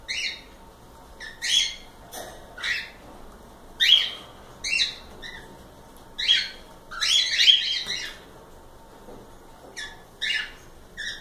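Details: Several cockatiels calling in a live session: short, harsh whistled squawks with bright harmonic bands, uttered in irregular bursts about every second or two, some doubled or overlapping, over a quiet background hum.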